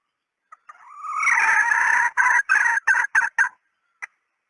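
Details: Decoy call of a female red junglefowl: faint short notes lead into a swelling, drawn-out harmonic call, then a quick run of about six clipped, cackling notes and one last faint note after a pause.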